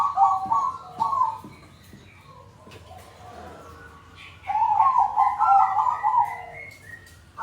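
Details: Several caged zebra doves used as a lure to prompt silent birds to sing; rapid rippling trilled coos in bursts, with quiet gaps and soft clicks between phrases.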